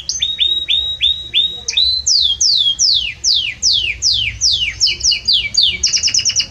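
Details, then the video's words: Strong, warm song of a Belgian canary: repeated hooked whistles, then a run of rapid downward-sweeping notes, ending in fast high chattering trills. "Canto forte e muito quente deste Espetacular Canário Belga | Canary Singing"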